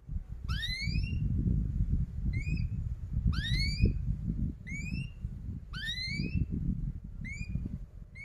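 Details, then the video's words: Canary repeating bright upward-sweeping whistled 'cuit cuit' notes, some in pairs, about once a second, above a constant low background rumble; used as a lure for young canaries learning to sing. "KENARI GACOR PANJANG Rol Rapat EMOSI Cuit cuit Ngerol AMPUH utk Pancingan kenari paud belajar bunyi"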